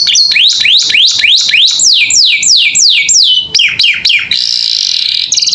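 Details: Captive canary in full, lively song meant as tutor audio for other cage birds: quick series of sweeping down-slurred whistles repeated several times a second, followed by a sustained buzzy rattling trill.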